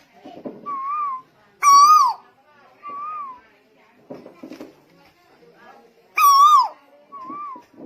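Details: Tuwu bird from Lombok, 2021, alternating loud harmonic whistles with softer, lower slurred whistles in a loose phrase repeated twice, mixed with clicking and rustling sounds close by.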